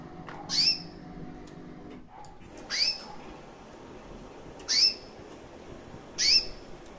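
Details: Chirping female recessive white canary, around a year old, with red-factor eyes: four short, bright, upward-sweeping chirps spaced one to two seconds apart, each with a fainter lower overtone, over a quiet low hum.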